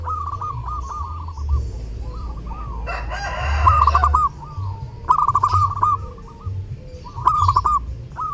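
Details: Zebra dove (perkutut) song recorded during Lebaran, repeated phrases of rolling, bubbling coos, each a quick trill trailing into short notes, with a brief loud harsh noise in the middle and low background hum.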